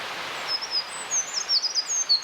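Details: Wild Eurasian wren: short bursts of high, sharp, slurred whistles in a fast jumbled sequence, partly masked by steady broadband background hiss.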